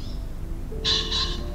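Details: A Common Pheasant cock, seen in branches in East Frisian farmland in November/December, gives a loud, harsh two-note crow, both notes rasping and quick, over a low outdoor rumble.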